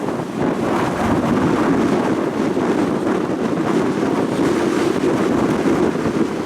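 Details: Strong gusty wind roars steadily against the microphone, with no animal calls heard.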